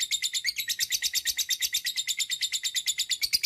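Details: Long 'ngekek' chatter of a lovebird, used to get other lovebirds to sing: a rapid, regular stream of piercing, scratchy notes, roughly seven a second, without a break.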